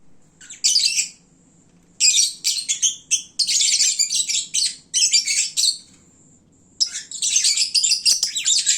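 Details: Lovebirds at midday, full and sleepy, during their noisiest time of day: shrill, high, buzzy chattering in dense bursts, broken by short pauses, with a thin steady high tone near the start.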